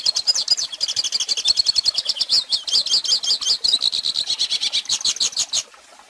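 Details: Hooded Siskin singing as a model for young birds: a rapid, jumbled twittering of high, thin notes and buzzy phrases that runs steadily, then stops abruptly, leaving quiet at the end.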